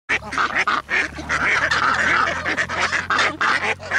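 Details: A flock of waterbirds (geese, ducks, coots and others) on a lagoon in Lo Barnechea, Chile, calling all at once: a dense overlapping chorus of harsh, nasal quacks and honks with a faint low hum underneath.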